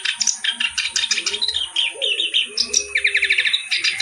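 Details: Clamorous reed warbler singing energetically with varied phrasing: fast, scratchy chatter and rattling trills packed tightly together, with faint low cooing behind it.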